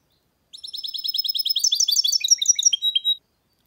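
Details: A goldfinch mule hybrid delivers one clean phrase of quick, high, bright twitters, repeated rapidly, ending with a few lower descending chirps and a sustained whistled note.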